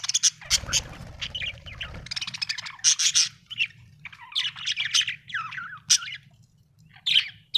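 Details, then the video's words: Budgie chatter described as happy singing: loud rasping squawks and clicking runs alternate with softer warbles, a broad noisy rustle early on, faint hum below. "Happy budgie chirping sound 🥰 budgie singing sound 😍"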